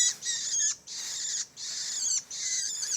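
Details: Long-tailed shrike chick producing long, scratchy, rasping calls, three drawn-out harsh bursts in three seconds separated by brief silences, with a faint background hiss.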